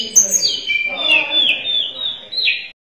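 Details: Sunda robin in lively song: one continuous phrase opening with a high sharp note, then a long wavering whistle that dips and rises before ending abruptly on a brief upturn.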